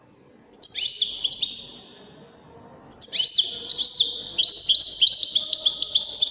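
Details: European goldfinch singing, played to teach goldfinch chicks and hybrids: high rippling twitters and descending tinkling phrases, building into a continuous lively warble of rapid liquid notes.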